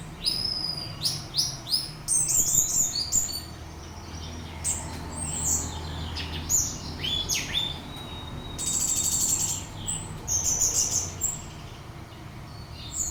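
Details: Orange-headed thrush song used as a lure to provoke another bird into singing: rapid varied high chirps, sharp downslurred notes and buzzy bursts in quick succession, over a steady low hum.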